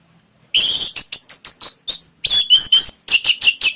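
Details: Orange-headed thrush singing in a lure recording meant to coax a pet bird into full song: a rapid string of loud, high, ringing whistled notes in two bursts, each note short and clipped.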